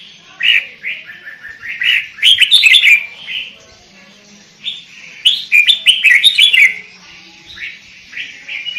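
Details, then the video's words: Sooty-headed bulbul in full lure song: repeated bursts of quick, bubbly whistled notes falling in pitch, two dense phrases separated by scattered single notes and brief pauses. "Burung kutilang pikat gacor isian fulll"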